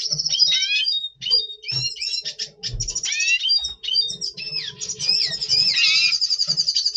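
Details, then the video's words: Pre-breeding song of a double pastel red siskin, recorded November 2023: busy jumble of sharp chirps, slurred whistles and short buzzy trills, continuous and high-pitched, with faint low hum behind. "Red Siskin 🦩Double Pastell 🔥FeuerZeisig before Breeding - Voice Brutstimmung"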